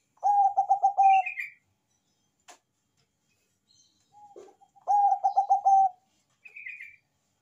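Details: Bangkok zebra dove singing strongly, a lure for other doves. Two phrases of rapid, rolling coos about five seconds apart, each trailed by a short higher twittering chirp, with a single click between.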